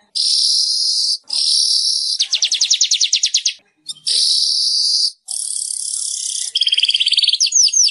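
A weaver sings in long, dry sizzling buzzes broken by quick, rattling chatters of about a dozen clicking notes, repeated over and over.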